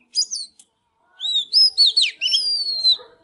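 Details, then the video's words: Oriental magpie-robin, fired up, singing and dancing: a short burst of high whistles, then a run of clear slurred notes, some sliding down, with a steady faint hum behind. "Chích chòe than LÊN LỬA || HÓT MÚA ĐẲNG CẤP"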